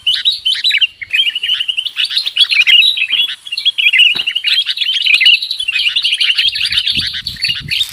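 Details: Bird-trapping lure sound of sooty-headed bulbuls: a continuous, dense chatter of overlapping bright chirps and warbled whistles with no pauses, plus faint low thumps near the end.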